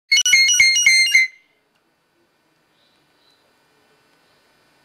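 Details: An electronic ringtone of four quick bright harmonic beeps, followed by near silence.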